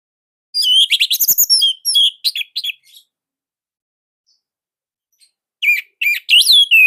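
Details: Song of a captive Orange-headed thrush in Indonesia, delivered in tight, loud bursts: a rapid chattering string of varied whistles and trills for over two seconds, a pause of silence, then another vigorous burst of sweeping notes.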